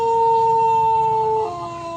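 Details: Crow of a Pelung rooster from Plered in Purwakarta: a long, level, sustained note held about one and a half seconds, then an abrupt drop to a lower, fading tail.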